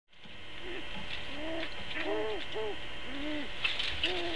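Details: On a live nest cam, a long-eared owl defending its nest from another long-eared owl gives mid-pitched, arching moans that rise and fall, some overlapping, about two or three a second, over a steady background hiss.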